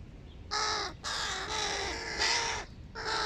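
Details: Giant hooded crow chicks at breakfast utter loud, hoarse, nasal caws, each held for up to a second, in a quick series of four with brief gaps.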